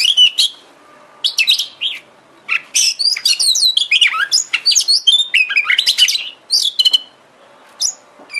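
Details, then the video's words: Kacer (Oriental magpie-robin) lure song meant to provoke singing and tail-opening: bursts of bright, high whistles, downslurred sweeps and quick chirps, separated by short silences, ending with scattered single notes. "Pancingan KACER agar GACOR dan EMOSI BUKA EKOR"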